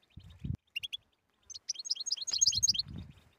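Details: European goldfinch song in the style called بتبتة (batbata), meant to cure a silent goldfinch and prompt it to sing. Short pips lead into a rapid tinkling, twittering run, with low dull thuds underneath.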